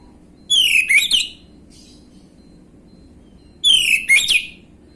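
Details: Orange-headed thrush lure song to draw a reply from untrained birds: two matching phrases about three seconds apart, each a descending whistled slur followed by quick scratchy chips, with silence between.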